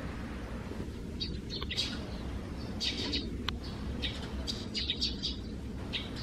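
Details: Eurasian tree sparrows nesting deep in a gutter hole under the roof eaves, calling noisily in the morning in June; short bright chirps and tweets come in scattered bursts over a steady low rumble of background noise.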